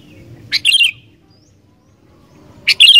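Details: Two bright, bubbly whistled phrases from a sooty-headed bulbul in full song, each opening with a sharp click and rolling downward, about two seconds apart, aimed at getting wild bulbuls singing.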